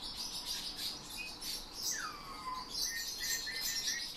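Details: Eurasian bullfinch trained to sing by its owner, copying his whistle and phrases of nightingale and thrushes; a long whistle sliding smoothly downward, then a run of short evenly spaced piped notes over high twittering.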